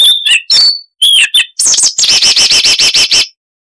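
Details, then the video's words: Siberian rubythroat singing in a noise-reduced recording of its varied chattering song: a few high whistled phrases, then a fast series of about ten identical looping chirps that ends abruptly. "Masteran Burung Luar Negeri Suara Unik Asli HD AUDIO - Siberian Rubythroat (Luscinia calliope)"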